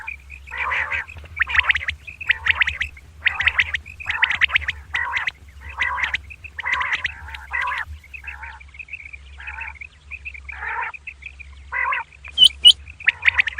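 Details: Female common quail (batair) calling at dawn: harsh, raspy bursts repeated roughly once a second, with short high chirping notes between them and a steady low hum underneath.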